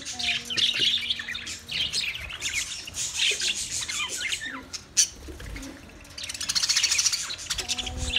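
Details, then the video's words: Chattering budgies: a busy wash of high twittering and squeaky warbles, with a few flat low tones at the start and close. "Wildlife Budgies Birds Nature Sounds"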